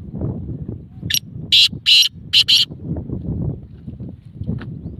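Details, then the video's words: Black francolin: one loud call of five harsh, rasping notes in a rhythmic phrase about one and a half seconds long, set against low rustling background noise. "kala teetar awaz"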